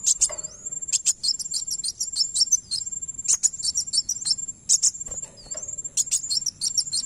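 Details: Van Hasselt's sunbird song played to make another bird respond: dense, hurried sequences of very high chips and twitters with occasional falling slurs, broken by short gaps, over a continuous thin drone.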